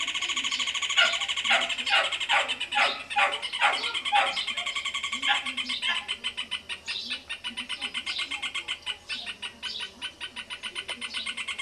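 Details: A Rufous hornero in a tree beside a house on a small farm gives a loud, shrill run of ringing notes, slower and emphatic at first, then speeding into a fast, even chatter for several seconds.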